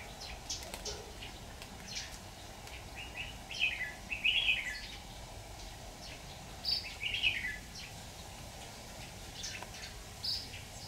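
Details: Red-whiskered bulbul singing during trapping with a decoy bird, 26 October 2019: scattered bright warbled phrases and short rising whistles, louder bursts near the middle and end, among other faint bird chirps over steady low rumble.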